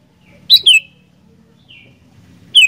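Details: Sooty-headed bulbul in active song: a strong descending double whistle, a soft short note, then another falling whistle, with low rumbling in the background.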